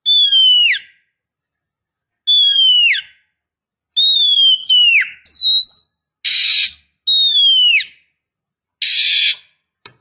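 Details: Oriental magpie-robin female, a lure for a courting male, repeating a long clear whistle that falls steeply at the end every second or two, mixed with a short upturned note and two harsh buzzy rasps.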